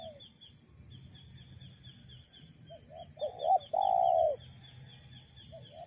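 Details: Spotted dove cooing used as a lure for wild doves: a short run of soft coos building to one long, loud drawn-out coo, over a steady faint high-pitched chirping in the background.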